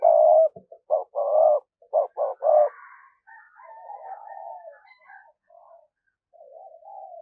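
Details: Decoy spotted dove giving thúc gù cooing meant to lure wild doves: a rapid run of about eight low, throaty coos in under three seconds, then softer trailing murmurs and faint background calls.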